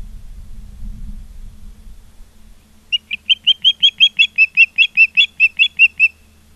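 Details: Osprey at a nest in Charlo, Montana, on a live nest camera, 16 September 2023, 16:05: after a few seconds of low rumbling background, a run of about seventeen sharp, high whistled chirps comes quickly and evenly.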